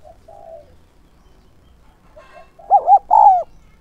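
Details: Soft low cooing from a decoy spotted dove luring wild birds builds into one loud phrase near the end: two quick quavering notes followed by a drawn-out coo.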